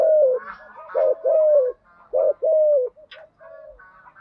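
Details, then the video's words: Spotted dove calling as a lure for caged decoys; several low drawn-out falling coos in pairs, overlaid by fainter higher buzzy chirps from another bird. "Tiếng chim cu gáy mồi giọng lôi cuốn hấp dẫn đủ bài[ THÚC GÙ , GÁY GỌI ] dùng kich bổi nhanh nổi"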